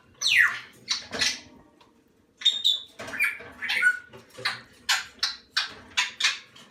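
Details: Young salmon-crested cockatoo chicks, hand-raised indoors during their first month, giving a run of harsh, breathy squawks, some with sharp whistled falling tones, repeated steadily about twice a second after a short pause.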